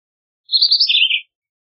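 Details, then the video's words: One Philadelphia vireo phrase: a high whistled run of notes that climbs slightly, then drops into a lower, buzzier ending, under a second long, no other sounds. "Philadelphia Vireo Song! Philadelphia Vireo Call!"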